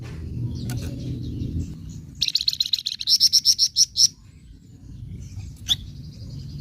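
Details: Scarlet minivet giving provocative 'nyecret' chatter: a two-second series of quick, sharp high notes in steady rhythm, loudest toward the end, followed by a single chip and faint thin whistle over low hum.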